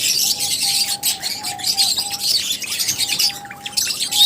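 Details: Loud, busy chirping from lovebirds: a nearly unbroken wash of shrill, high twitters and squeaks, over a faint repeated thin tone.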